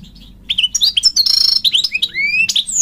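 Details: Male European goldfinch calling to a female: a lively, bright twitter of high, tinkling notes and short upslurred whistles, with a buzzy trill in the middle and a long rising whistle near the end, after half a second of quiet.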